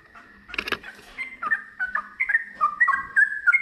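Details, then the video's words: Sooty-headed bulbul in full song, delivered in the ngiwir style leading into a long ropel run: a short noisy burst early on, then a string of bubbly whistled notes gathering pace, with a faint low hum underneath. "TRUCUKAN GACOR ngiwir lanjut ROPEL PANJANG"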